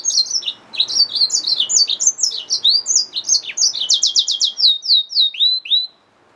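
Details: Yellow-fronted canary mule, a hybrid finch, in continuous bright song: rapid high slurred notes, then a fast series of repeated downswept notes at about four per second, closing with a few falling whistles.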